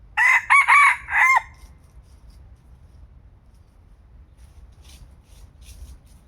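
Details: Young decoy red junglefowl cockerel, described as newly mature and feisty, gives one loud crow of four harsh stacked syllables lasting about a second and a half, then quiet rural background with faint clicks.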